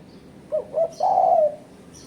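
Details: Spotted dove call, used to provoke rivals as a lure; two quick coos lead into a long, level, mellow coo that drops slightly at the end.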